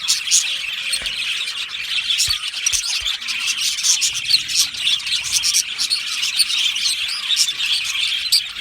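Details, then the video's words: Budgerigar colony kept in an aviary: many birds chirping at once, a steady wash of shrill tweets and fast warbling chatter, with sharper clicks and squeaks standing out now and then. "Australian Budgie bird colony sound | Budgie natural sound | Budgie parrot chirping sounds"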